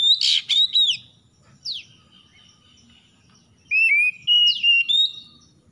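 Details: Dawn song of an oriental magpie-robin, recorded in the morning dew: a harsh scratchy burst opens, then a downward swept note and a long thin whistle, followed by rapid bright whistled phrases with rising and falling slides.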